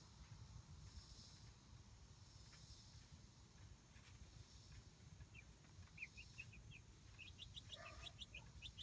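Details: Young Light Brahma chicks, roughly a month old, newly let into their coop run: quiet at first, then a rising flurry of high, short, falling peeps toward the end over low background noise.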